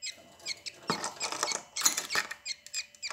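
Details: Budgerigar chicks, three young in a nest box with their hen, give dense raspy, scratchy squeaking calls in quick irregular bursts, with several louder harsh clusters near the middle.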